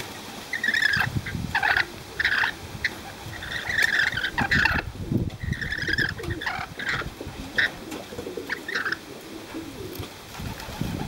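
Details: Several free-flying, befriended rainbow lorikeets in Cromer, Sydney, with a string of harsh, grating screech bursts about every half second, then a pause and more scattered squawks, over a steady low rumble of background noise.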